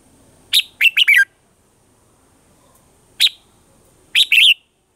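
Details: Red-whiskered bulbul, morning song in a mature wild-bird voice for training caged birds: a four-note warbled phrase, a pause, one lone chirp, then a closing burst of fast tumbling notes.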